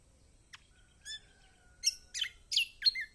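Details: Lemon-bellied white-eye (kecial kombok), a recording used to coax quiet birds into singing: scattered high, thin chirps, then a run of sharp, squeaky, downward-sweeping notes about three per second.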